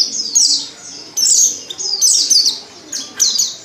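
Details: Female Oriental white-eye lure call meant to prompt males to sing: bright, high, slurred descending twitters in four or five clustered bursts about a second apart.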